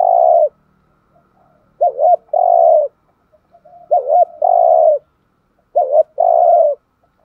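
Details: Spotted dove acting as decoy bird to lure wild doves, giving thúc gù coos: regular phrases about every two seconds, each a rapid two-part hooked note followed by a steady, hollow, drawn-out coo.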